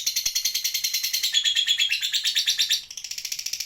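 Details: Caged lovebird, still chattering nonstop while moulting: a long, rapid high trill of about three buzzy pulses per second that drops slightly in pitch partway through and continues without pause.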